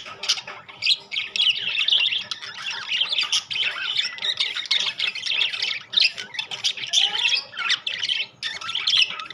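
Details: Rainbow and classic budgerigars squawk and warble continuously in a harsh, rasping chorus, with short pauses, one rising whistled note around the seventh second, and many birds calling over one another.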